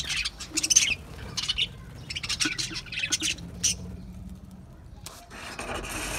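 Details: Budgerigars chattering in quick scratchy chirps and squawks for the first four seconds, then a steady broadband hiss takes over toward the end.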